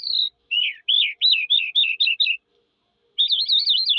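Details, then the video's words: Singing Eurasian skylark: a series of quick looping chirped notes at a steady pace, a short silence, then a rapid high warbling trill; nothing else audible. "sky lark bird singing"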